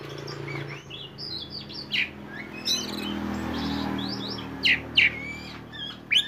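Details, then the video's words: Kacer poci magpie-robin delivering konslet-style song as a lure for untrained birds. Sparse high chirps and short whistles, then a few sharp, buzzy loud notes near the end, over a steady low background hum. "kacer poci gacor on konslet"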